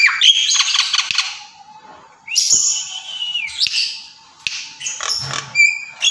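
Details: Javan myna (Acridotheres javanicus), song.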